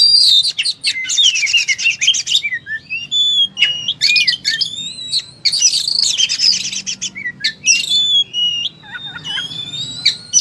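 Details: Oriental magpie-robin (kacer) in full fighting-mode song, pouring out varied material: fast buzzy rattles alternate with clear rising and falling whistles and sharp chips, delivered in dense bursts with brief pauses.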